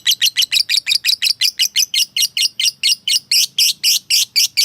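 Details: Lovebird, a fighter calling a rival to provoke it, delivers a rhythmic ngekek chatter of about twenty sharp raspy notes, steady in pace, becoming louder and broader near the end.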